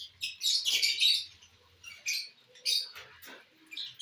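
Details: Lovebirds eating corn give a loud burst of harsh, rasping chirps, followed by shorter high squeaky notes after brief pauses.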